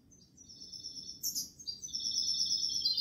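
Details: A European goldfinch sings in the Málaga song style, with long thin high whistled notes and a brief bright burst near the middle, against a faint low background hum.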